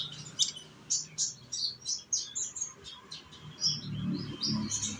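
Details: Young sunbird (konin) from Indonesia singing as a lure to prompt other birds to sing: quick, high, thin chirps and twitters in short bursts, over a low steady hum.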